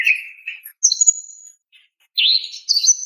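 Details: A female greater green leafbird calling to a male gives a brief low whistle, a thin high drawn-out whistle, a pause, then buzzy chirps.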